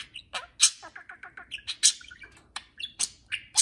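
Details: Couple of pet budgerigars conversing during free flight in the house: loud squawks and chirps alternating with a rapid series of soft clicking pulses, irregularly spaced, over faint indoor hum.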